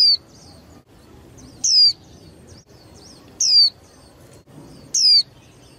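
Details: Contest-stimulating young female white-eye calling: three clear, piercing, high-pitched notes that slide downward, spaced about one and a half to two seconds apart, with soft faint twitters between them and low background noise.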